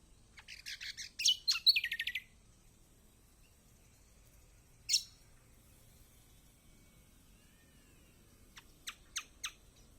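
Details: Kecial kombok white-eye singing as a training lure for quiet birds: a dense burst of high buzzy chirps and rattling notes, a lone sharp note later, then a few quick high ticks.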